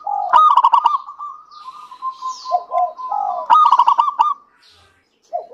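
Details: Zebra dove of a local strain, singing actively as a lure for other doves: two loud stuttering bursts of rapid notes about three seconds apart, joined by sustained even cooing and brief lower falling coos.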